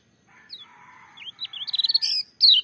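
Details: Lemon-bellied white-eye (kecial kuning) with loud song. It opens with a soft murmuring background and a few thin high notes. Rapid high chirps build up, then a short sharp burst follows near the end.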